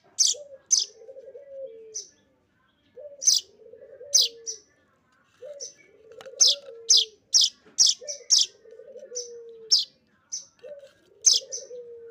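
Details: Begging of a young streaked weaver during feeding. Bursts of shrill, high chirps come in irregular clusters, and a low, wavering, trilled phrase repeats between them.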